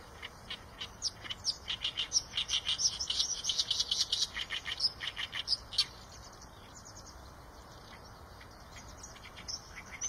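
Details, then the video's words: Eurasian tree sparrow chattering: a rapid series of high, clipped chirps for several seconds, then quiet with only an odd chirp toward the end. "tiếng chim sẻ đồng"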